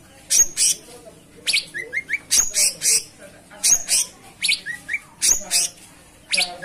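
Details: Cucak cungkok in full, energetic song: sharp, very high chirps in quick bursts, some doubled, mixed with short rising whistled notes repeated in a series of three.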